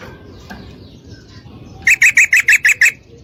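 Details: Female yellow-vented bulbul calling a male to mate, after a second of soft background noise, delivers seven crisp, evenly repeated chattering notes in about one second.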